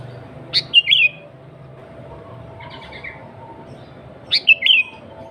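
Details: Sooty-headed bulbul (kutilang) singing in an energetic style used as a lure for other bulbuls: two short bursts of clear, warbled whistled notes around three seconds apart, with a faint buzzy phrase between and a steady low hum beneath.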